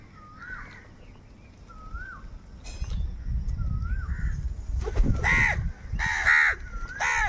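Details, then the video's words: Crows squabbling over food: after quiet whistled notes from another bird, three rough, loud caws burst out in the last two seconds over rumbling background noise. "Kaka Sound and Noises of Crow Birds | কাকের ডাক Crow Sound Crow ki Awaz Loudly"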